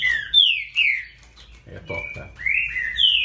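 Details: Great-billed seed finch giving loud downslurred whistles, then a steady held note and rising whistles, with a man's voice speaking briefly in the middle.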